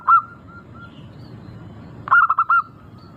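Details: Local zebra dove cooing as a singing lure: a single short coo, a stretch of faint soft notes, then a crisp burst of five quick rolled coos.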